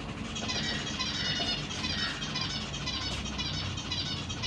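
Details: Caged zebra finches, parents feeding three juveniles and three newly hatched babies, June 25, 2023: a dense, continuous chorus of high, nasal, harmonic chirps from several birds overlaps without pause above a low background hum.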